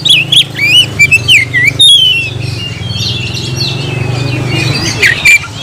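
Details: Oriental magpie-robin (kacer) opening with lively twisting whistles for about two seconds, then falling quieter before a few brief loud notes near the end, steady low hum throughout.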